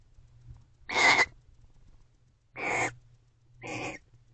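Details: Barn owl pair in a nest box on a November night, twittering affectionately: three raspy, broadband notes, the first loudest, the later two softer and shorter, with a faint hum beneath.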